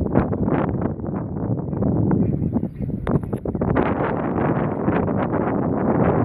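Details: Black Brant, adult, recorded on Schiermonnikoog on 13 April 2015, giving a continuous chorus of harsh, throaty, low murmuring calls, closely packed and overlapping, with some wind noise.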